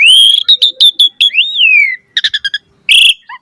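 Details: Asian pied starling delivering a long quavering whistle, staccato notes, a smooth rising-then-falling slur, a quick rattle of clipped chirps and a harsh buzzy note.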